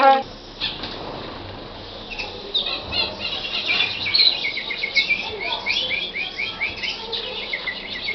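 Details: Canary described as Libyan, singing a run of quick repeated chirping notes that builds into rolling, evenly spaced trill phrases over steady background hiss.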